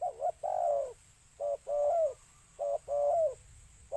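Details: Spotted dove used as a lure call for attracting birds: repeated cooing phrases, a short double note followed by a longer drawn-out coo, about every 1.2 seconds, with a steady faint high hum.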